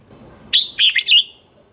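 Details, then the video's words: Red-whiskered bulbul, a caged songbird, in a recording meant to stimulate other caged birds; one short phrase of three or four loud, rich whistled notes dropping and rising, with a faint steady high tone behind. "เสียงนกกรงหัวจุก สำหรับต่อ หรือ เปิดให้นกคึก เสียงเพราะๆ"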